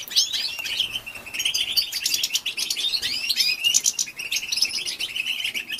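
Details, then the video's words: Female European goldfinch calling to excite males, known locally as batbata: a continuous stream of high, bright twitters and rising, slurred whistles with rapid chipping notes throughout. "بتبته لتهيج ذكور الحسون"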